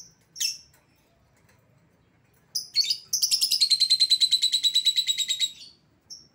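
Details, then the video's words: Lovebird call used to lure back an escaped lovebird: a few sharp shrill chirps, then a long fast chattering trill of rapid high notes lasting about two and a half seconds. "suara pikat lovebird yang lepas"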